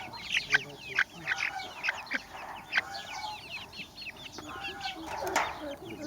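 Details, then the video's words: Baby chickens chirping together: a dense stream of high, short, downward-sliding peeps, overlapping and repeated several times a second, with a few louder chirps standing out. "Baby Chickens Chirping"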